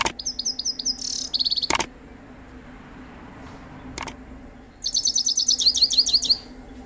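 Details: Singing Himalayan goldfinch delivers bursts of rapid, high tinkling twitters, a short buzzy run, a pause with two sharp clicks, then another fast jingling series of repeated notes.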